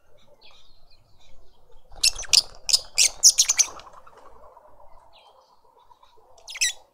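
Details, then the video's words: Lovebirds at a garden feeder in Pretoria, South Africa, parents feeding a juvenile; a rapid run of loud, harsh high shrieks lasting about two seconds, then quiet twitters and one last shrill call, with low background hum. "Lovebird family feeding a juvenile"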